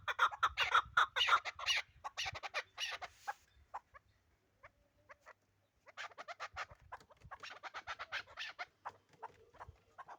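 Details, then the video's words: Chukar partridge from the Pamirs: bursts of quick clucking chuk notes, a quiet pause midway, then another run of softer repeated notes. "Кабки Помир"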